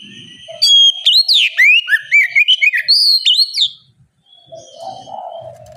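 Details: Oriental magpie-robin giving a loud, open bait song meant to coax young birds to answer: one dense burst of rapid sharp whistles and twisting slurs, then faint high tones and soft background murmur.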